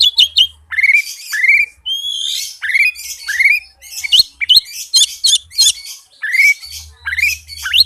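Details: Fast, dense oriental magpie-robin song played as a lure to prompt reluctant birds to sing. Rising whistled sweeps alternate with harsh, scratchy chatter and sharp notes in quick succession throughout.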